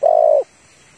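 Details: Female spotted dove calling to a male, kept as a lure for trapping: a single sustained husky coo lasting under half a second, then near silence.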